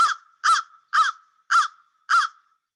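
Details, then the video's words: An American crow, heard in spring around Peterborough, Ontario, gives its most common call: five harsh, hoarse caws, evenly spaced about half a second apart. It is a common bird all year, and more numerous in spring than in winter. "And crows also have many different vocalizations, but their most common one is caw, caw. And let's listen to it."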